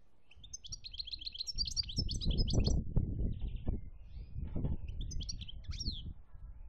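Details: European goldfinch from Algeria, 2017, giving rapid twittering, liquid phrases of high chirps and trills, over steady low rumbling background noise.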